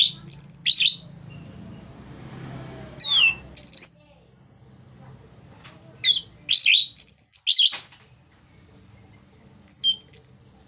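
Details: Orange-headed thrush singing in 'ngeplong' style to rouse other thrushes. Short bursts of loud, high, slurred whistles and sharp notes are separated by pauses over a steady low hum of background noise.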